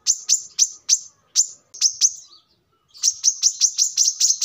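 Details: Brown-throated sunbird song for training birds: spaced, piercing high chirps, a silent pause, then a faster run of thin notes.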